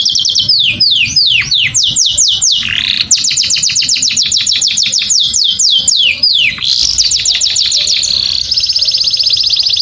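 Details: Canary singing to stimulate females for mating, a long run of fast high trills: rapid repeated descending whistled notes, buzzy rolling phrases and a steady high trill at the end.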